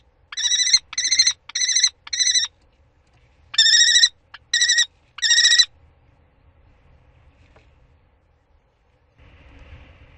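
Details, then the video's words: Common kestrel at prey transfer on 2 May 2013 gives two bursts of short, ringing, harmonic calls, four notes and then three, separated by a pause, followed by near silence and faint low rumble at the end. "Torenvalk: 2e en 3e Prooioverdracht"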